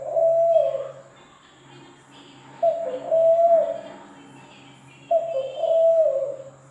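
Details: Zebra dove cooing: three low, mellow phrases spaced about two and a half seconds apart, each opening with a short clipped note then a held, slightly wavering coo that sinks at the end; faint room hum.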